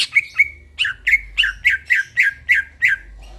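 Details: Greater green leafbird singing in the middle of the night, a lively series of about ten sharp, downslurred whistled notes with buzzy edges, evenly spaced roughly every quarter second, over a faint low hum.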